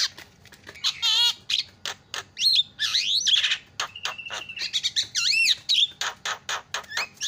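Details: Javan myna singing a busy, varied song of sharp clicks, rattling buzzes, sweeping whistles and a short level whistle, delivered in quick succession.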